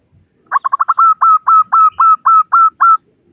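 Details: Zebra dove female of local stock calling for males, opening with rapid staccato notes that stretch into about eight longer, level coos spaced a quarter second apart in a clean recording.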